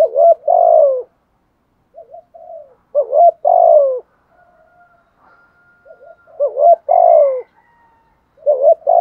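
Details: Caged spotted dove used as a lure bird, cooing in the 'thúc gù' style to stir up wild doves: four low, mellow two-part coo phrases, a short rising note then a longer falling one, roughly every three seconds, with faint soft tones between.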